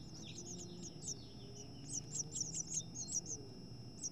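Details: House finches, two females fighting over a nest with chicks near fledging: rapid high thin chirps in loose runs, a few lower slurred notes between, over a steady low hum.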